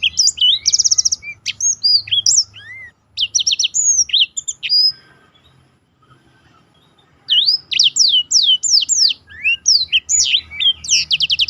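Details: Black-throated canary singing a special roll, recorded for training contest birds: bursts of high sweeping whistles and quick buzzy trills, a silent pause of about two seconds, then a dense run of sharp slurred notes.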